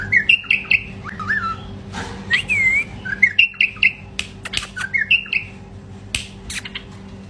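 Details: Male bulbul singing short, rich warbled phrases repeated every second or so, with one drawn-out slurred whistle in the middle. Frequent clicks and a faint low hum are also present.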